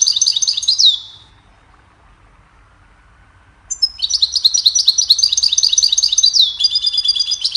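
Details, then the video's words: Goldfinch song for training songbirds: a brief high, descending trill, a few seconds of quiet, then a long, fast, jangling twitter of bright notes and buzzy rolls. "Goldfinch sings a cheerful melody to teach the birds goldfinch chirping"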